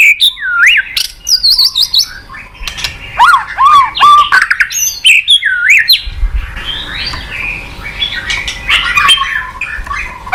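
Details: White-rumped shama song played to coax a reluctant bird into singing: varied loud whistles, rising and falling swoops and rapid chattering notes mixed with harsh squawks, dense and continuous throughout.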